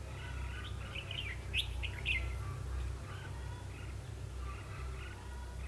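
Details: Red-whiskered bulbul used as a trapping decoy, recorded 21 December 2015; a burst of rapid, bright warbled chirps, then softer scattered notes, against a constant low hum.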